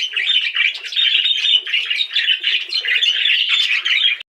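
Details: Several budgies warbling continuously in a dense, high, scratchy twitter of rapid chirps and chatter, with barely a pause.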